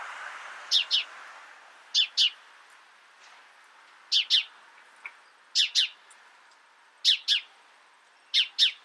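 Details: Repeated sharp double chirps of a house sparrow, six evenly spaced pairs, with one brief faint chip in between, against light background hiss.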